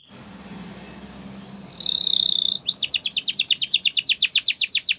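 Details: Canary training song heard over a steady low hum: a brief whistled flourish leads into a bright buzzy roll, then a quick chattering trill of steeply falling notes, about four per second.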